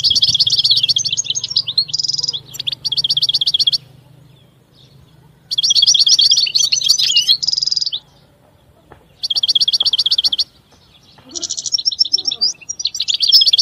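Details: European goldfinch singing in three long bursts of fast, evenly repeated twittering notes mixed with buzzy trills, separated by quiet pauses with a faint low hum.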